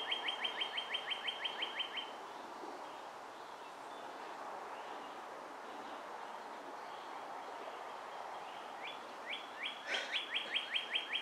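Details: Young Bald Eagles, a pair in the Ft. Hunt nest, May 23, 2015; a rapid run of high, ringing chirps, several seconds of hissing quiet with a brief clatter, then another quick piping series.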